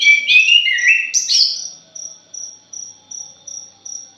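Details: Thrush song phrase, lure style: a loud tumbling run of whistled, stepped notes climbing to a shrill flourish, then fading into a cricket-like insect repeating a thin, high pulse several times a second.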